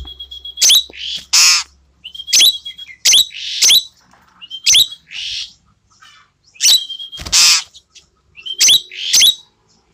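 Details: Tame, frequently singing Asian glossy starling with a clear, shrill voice, delivering about seven repeated phrases, each a brief level whistle snapping into a loud, harsh squawk and buzzy rasp, spaced roughly a second or two apart.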